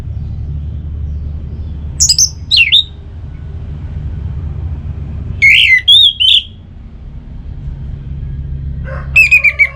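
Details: Orange-headed thrush voice used to get caged birds singing: three separate phrases of sharp, slurred whistles, some dropping in pitch and others rising and buzzy, spaced a few seconds apart over low hum.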